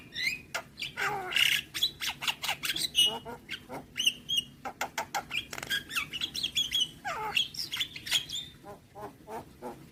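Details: Javan myna song with full filler phrases, dense mix of sharp clicks, harsh bursts and short whistled notes in rapid succession, with other starlings answering and music audible.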